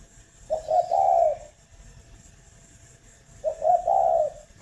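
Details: Spotted dove at a breeding farm in Ba Vì, Hanoi, Vietnam, giving two soft, low cooing phrases about three seconds apart. Each opens with quick short notes and swells into a longer, rolling hoot.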